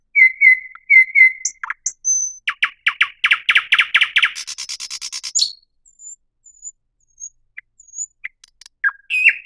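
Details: Thrush nightingale in full song: paired whistled notes, a string of loud repeated chirps, a buzzy rattle, then slow, spaced high whistles and a few final rough notes.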